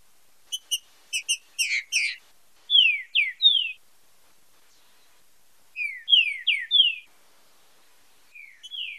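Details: Fibra com marcheado song of a green-winged saltator, meant for song training: a rapid burst of short chipping notes, then groups of three clear downward-slurred whistles repeated after pauses of a few seconds.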